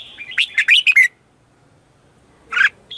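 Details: Red-whiskered bulbul morning lure song: a fast cluster of four bright warbled notes, a pause, then one more loud chirp and a short high whistle.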